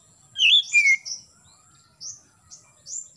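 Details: Oriental magpie-robin singing in the morning, played to encourage young birds to sing: two loud whistled notes, the first rising and twisting, the second sliding down, then a few faint high chirps.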